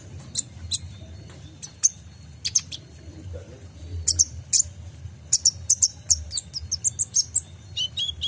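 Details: Sunbird (kolibri ninja) lure song for tutoring caged songbirds: thin, very high chirps and short trills in scattered bursts, quickening into rapid series near the end, over a low steady hum.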